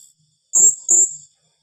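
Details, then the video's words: Two shrill, piercing high notes in quick succession from a blue-crowned hanging parrot, in the rapid-fire "tembakan rapat" style said to unsettle rivals, with near silence around them. "Suara serindit tembakan rapat"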